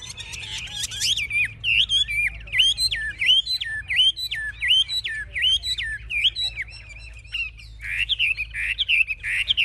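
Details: Caged Chinese hwamei, a fierce fighting bird, displaying with raised wings and fanned tail: after a brief rough burst, loud clear whistles swoop down in a repeated series of similar phrases, then a faster run of sharp, bright notes.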